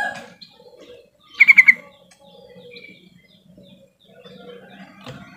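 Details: Yellow-vented bulbul lure call, used to coax silent birds into singing: one quick burst of four bubbly chirped notes near the middle, with faint low murmurs and soft background chatter.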